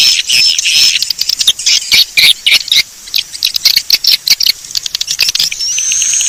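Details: Swiftlet lure call of the Bangkit 18 style, used to attract swiftlets: dense, rapid high-pitched chirps and twitters packed closely together, with short buzzy bursts and a thin whistle near the end.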